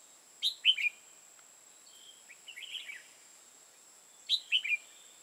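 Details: Trapping decoy red-whiskered bulbul, Hòa Bình, Vietnam: a crisp three-note warbled phrase, quieter chattering notes in between, then the same sharp three-note phrase repeated about four seconds later, with a steady high-pitched hum behind.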